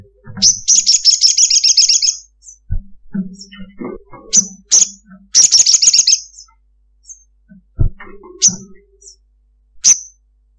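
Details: Ruby-cheeked sunbird (Chalcoparia singalensis) gives long, rapid, high-pitched chattering trills in bursts, with sharp single tsip notes between, over faint lower clicks and knocks.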